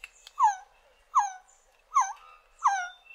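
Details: Four quick, rich wailing notes from a resplendent quetzal, each falling in pitch with a slight upturn at the end, spaced less than a second apart.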